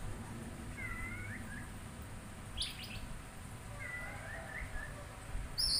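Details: Oriental magpie-robin whistling soft, slurred, wavering phrases twice, separated by a brief scratchy stutter, ending with the start of a harsh buzz, against quiet background rumble.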